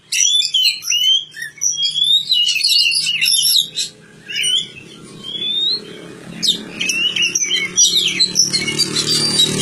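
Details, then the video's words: Kacer (Oriental magpie-robin) under village care: whistled and warbled phrases early on, then song continues over rising broadband background noise. "kicau burung kacer"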